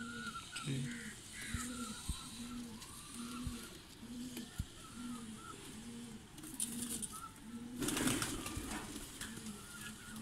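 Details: Domestic pigeon of the Salaray Teddy breed cooing steadily, low soft notes repeated about every two-thirds of a second, with sharp knocks, a brief rustling burst and faint chirps from other birds.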